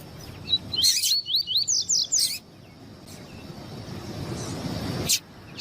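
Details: Double-collared seedeater with a male singing and a female calling to excite males: a quick burst of about eight high, bright slurred whistles lasting over a second, then near silence with one faint note and a late click.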